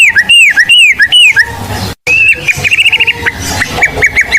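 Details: White-rumped shama of the blorok type, a lively lure singer for training birds: repeated arched, slurred whistles at the start, then a quick chattering trill and a run of short clipped notes.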